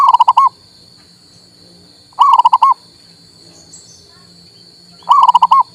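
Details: Zebra dove, local male, singing to stimulate a silent bird: three short bursts of rapid rolling coos, repeated about every three seconds, above a continuous high electrical whine.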